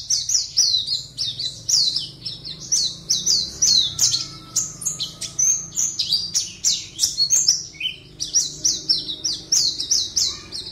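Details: Competition Oriental white-eye in a cage, Pontianak, West Kalimantan, delivers a sustained torrent of high chirps and rapid falling whistles, nearly continuous throughout, with faint low background hum.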